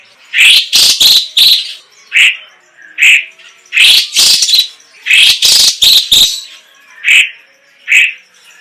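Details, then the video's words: Chinese leafbird (cucak ijo cina, cucak cungkok) singing: clusters of loud, sharp, squeaky chirps. Isolated softer warbled notes recur roughly every second between the bursts. "Suara Ocehan BURUNG CUCAK IJO CINA Gacor - CUCAK CUNGKOK"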